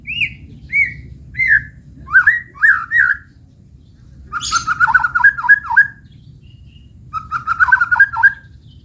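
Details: Morning song of a white-rumped shama: separate rising whistled notes, then fast runs of warbled, slurred phrases with high chips, over a constant low hum.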